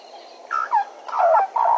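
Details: At Djuma, picked up by a live camera, a Bennett's woodpecker gives a few short nasal notes in quick succession that dip slightly in pitch, over background hiss.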